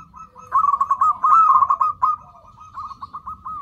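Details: Lure recording of a zebra dove: a loud, rapid, rolling trill of cooing notes, fading into a softer purr and a few separate short coos, with low background hum.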